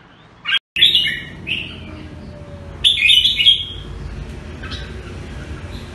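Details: Jambul, the red-whiskered bulbul, recorded in Singapore: two bright warbled phrases of slurred whistles, the first after a brief cut, the second about two seconds later, then faint low background hum.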